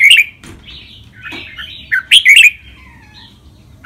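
Red-whiskered bulbul giving a bright, bubbly phrase of warbled whistles, with several quick loud notes near the end and a fainter sliding whistle after.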